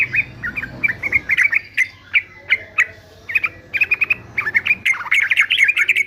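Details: Male yellow-vented bulbul of the fighter sort, for song training, gives spaced, clipped chirps that speed up into a rolling, liquid warble toward the close.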